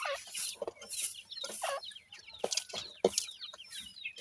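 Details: Grey francolin chicks calling while being fed: short, high chirps and piping notes come in quick bursts, mixed with some lower, broader clucking calls and faint background chatter.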